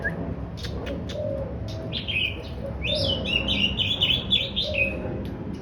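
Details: Daurian redstart singing a lively chattering song: a few thin high notes, then from mid-clip a fast run of bright, warbled twitters. Low soft cooing sounds steadily beneath, with a steady background hum.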